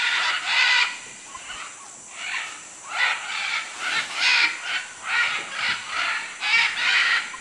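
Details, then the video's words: Macaws in Manu, Peru, giving harsh, raucous squawks in repeated bursts, about one every half second to second, with short gaps between them and a steady hiss in the background. "Guacamayos Manu Perú"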